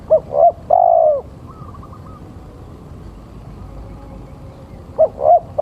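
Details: Male spotted dove cooing as a lure call. One full phrase of two short coos and a long drawn coo, then a pause with faint distant twittering, before the next phrase begins at the end.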